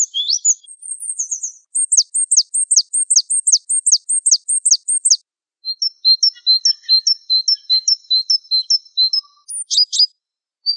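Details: Java sparrow singing in a masteran recording: a few scratchy notes, then a quick series of sharp, high, downward-flicking chirps, followed by softer twittering notes and a closing pair of sharp clicks.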